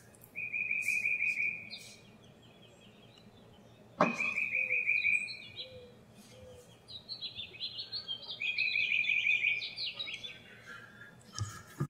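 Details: Woodpecker in Tennessee giving rolling, trilled calls at a fairly high pitch in bursts of about a second, repeated several times, with a sharp knock near the middle and higher, thinner chirps from other birds toward the end.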